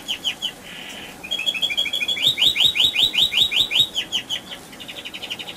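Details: Canary rolling song used to set off other canaries: a short steady trill, then a long run of quick rising whistled notes, roughly four a second, ending in a fast high buzzy trill.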